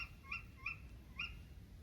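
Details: Tawny owl (Strix aluco) gives three short, sharp, nasal calls in under two seconds over a low rumble, recorded at night by phone from a woodland hide in Yorkshire; possibly a couple of owls in nearby trees.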